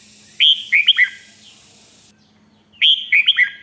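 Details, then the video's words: 'Rik'-style song of a red-whiskered bulbul in Thailand, used to rouse other birds: two crisp phrases of four quick, bouncing whistled notes separated by silence, with a faint steady low hum. "เสียงนกกรงหัวจุก ร้อง ริก"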